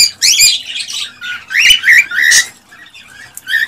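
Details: Male cockatiel singing excitedly to prompt a female to mate: warbled whistles and short harsh squawks in the first half, then quieter scattered chirps and a final short whistle.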